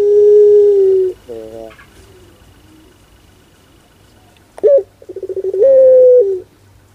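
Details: Barbary dove, locally puter, singing pelung style: the tail of a long level coo, a few tremulous notes and quiet, then a sharp note leading into stuttering pulsed coos and a long sustained coo.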